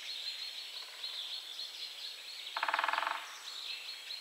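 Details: A Great spotted woodpecker drumming on a dead tree in central Poland gives one short, rapid roll of about a dozen strikes over half a second, against a steady high hiss of distant insects or birds.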